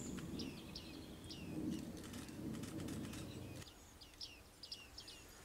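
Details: Bearded reedlings with a burst of low wing-flapping and rustling in the first half, then a run of high, down-sliding pinging calls near the end; a few calls also open the recording.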